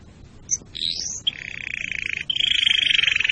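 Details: Canary song used for breeding readiness and teaching young birds: a sharp high note, a rising sweep, then two sustained fast trills, the second higher and brighter.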